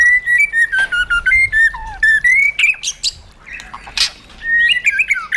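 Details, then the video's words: Caged white-rumped shama singing in wild-style (giọng rừng) voice: a run of clear whistled notes wavering and stepping up and down, broken by short sharp chips and a brief pause before the phrases resume. "KÍCH CHOÈ LỬA HÓT 100%, LUYỆN CHOÈ LỬA HÓT GIỌNG RỪNG HAY MỚI NHẤT"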